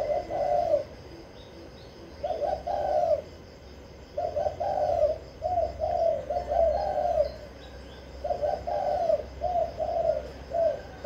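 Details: Kích bổi song from a kept spotted dove in Vĩnh Long, Vietnam. Repeated phrases of two or three husky coos, spaced by short silences, with scattered faint bird twitters above.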